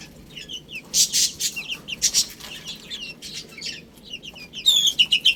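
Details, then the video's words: Little chicks eating spinach, scattered high, slurred peeps among bursts of pecking clicks, ending in a rapid, loud series of clear descending chirps. "Adorable Little Chicks Chirping Sounds"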